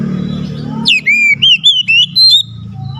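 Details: Oriental magpie-robin, a caged songbird, singing loudly to provoke a lazy bird into song: clear whistled phrases, a sharp downslur into a run of sliding, warbled notes lasting about a second and a half, with low background hum.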